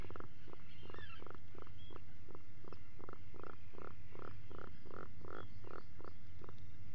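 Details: Burrow-cam recording of an Atlantic puffin at breakfast, just before five in the morning on 28 June 2019: a long, evenly paced train of short, low, rasping pulses, about two a second, with faint distant bird calls behind.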